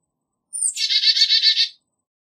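A Black-capped Chickadee gives a thin, high opening note, then a quick run of about six harsh, buzzy 'dee' notes lasting just over a second. The background is quiet.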